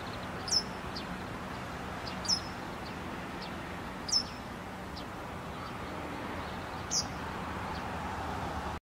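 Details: Japanese wagtail with a large caterpillar held in its bill for many minutes, repeating sharp, high 'piit' whistles, four notes at irregular two-to-three-second gaps, against a constant low rumble of distant traffic.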